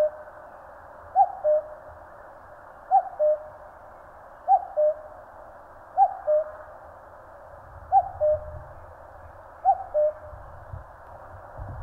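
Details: Long steady series from a common cuckoo in Korea's mountains: six falling two-note calls at an even pace of roughly one every one and a half seconds, with a faint low hum.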